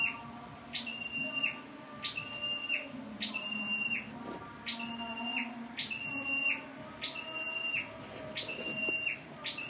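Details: Scarlet-backed flowerpecker serving as a lure bird, recorded 12/10/14: a long run of about nine repeated high phrases, each a sharp rising flick, flat whistle and downward end, roughly every second, with a low background hum.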